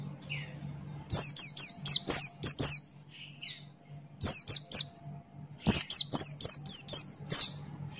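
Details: Buxton's white-eye singing in the 'gacor ngalas' style with open beak: bursts of high, sharp, downslurred chirps in quick runs of four to six, separated by short pauses, over a faint low hum.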